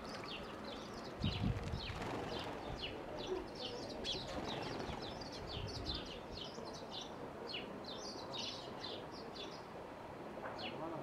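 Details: Spanish sparrows bathing at Jardín de Cactus, Guatiza, Lanzarote, on 25 March 2022, give a steady stream of short, bright chirps, several birds overlapping, over a constant low rushing background.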